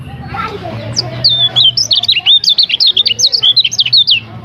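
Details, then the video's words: A lemon-bellied white-eye sings a lively, high, jumbled warble of wavering and up-and-down whistled notes for about three seconds. It comes from a training recording of varied song, with a faint low hum and soft background sounds. "Masteran Kecial Kuning Suara Bervariasi"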